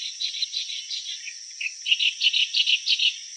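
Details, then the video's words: Clamorous reed warbler singing: a run of loud, chattering notes repeated about three times a second, growing stronger in the second half, over a steady high insect-like hiss. "Sound of Clamorous Reed Warbler"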